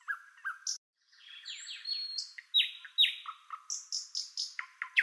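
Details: White-eared bulbul giving a rapid run of bright, chirpy notes, some sliding downward, others short and clipped, repeated more than twice a second.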